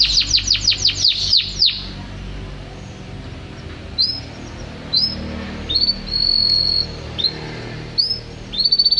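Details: Canary song beginning with a rapid burst of falling chirps, followed by spaced short whistles and one held tone, ending with another quick run.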